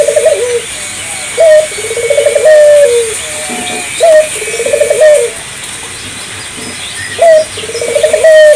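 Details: Repeated coo phrases from an island collared dove, intended to spur local doves to sing: a sharp rising start, a quavering roll and a descending tail, repeated roughly every two and a half seconds with soft background hiss.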